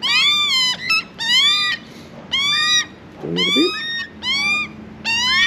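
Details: Hungry juvenile Australian magpie begging for food while being hand-fed, arriving late. Loud nasal squawks, each with rich stacked overtones, repeated about once a second, with slightly rising then falling pitch and short pauses between.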